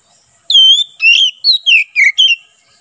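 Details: Kacer (Oriental magpie-robin) delivering loud ngeplong song meant for tutoring and luring wild birds in forest: one phrase of six rich, clear whistles, the first long and level, later ones swooping downward.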